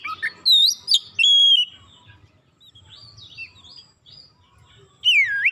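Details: Oriental magpie-robin singing actively, used as a lure to provoke other magpie-robins to sing: loud, clear whistled notes with sharp upslurs, a quieter scratchy twittering passage, then a strong downward-slurred whistle near the end.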